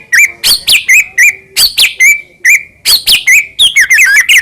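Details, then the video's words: White-rumped shama in morning song, used as a lure for pet birds: repeated loud phrases of a sharp downward-swept note followed by a steady level whistle, closing in a fast jumbled twitter. "PANCINGAN MURAI PAGI HARI GACOR FULL KRETEK CEPAT RESPON SUARA JERNIH"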